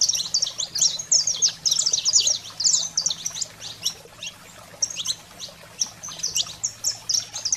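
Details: Wild-fire style saffron finch singing to rouse pet canaries: a dense run of high chips and slurred notes, a brief lull near the middle, then renewed scattered bursts of sharp chirps.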